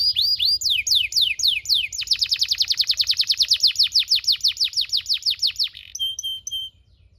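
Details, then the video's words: Domestic canary song used as a tutor recording to train young canaries: a few fast downward-swept notes, then a long rapid rolling trill of even chirps, closing with short high clipped notes. "PANCINGAN KENARI GACOR DURASI DURASI PANJANG UNTUK MASTERAN KENARI PAUD BELAJAR BUNYI DAN GACOR"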